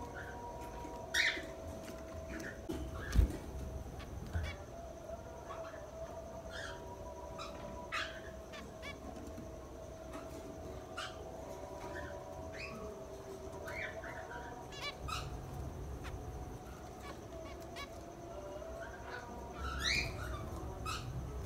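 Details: A male and female zebra finch give short, nasal, trumpet-like beeps, scattered irregularly over a steady low hum.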